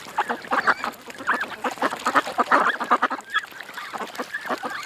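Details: Rapid series of short quacks from ducks at a creek, several calls a second, overlapping into a noisy chattering stream.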